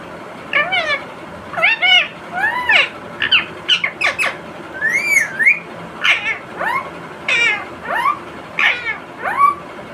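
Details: Indian ring-necked parrot kept as a pet, chattering continuously while it eats tomato: repeated speech-like syllables with arching, wavering harmonic tones, in short bursts roughly every second.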